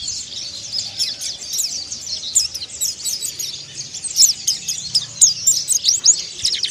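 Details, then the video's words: Mountain white-eye singing ngeriwik and ngalas style: rapid, high, twittering chirps and sweeping whistled notes in a nearly unbroken stream that grows louder toward the end, against a quiet background. "PLECI MONTANUS ATAU MONTY NGERIWIK DAN NGALAS"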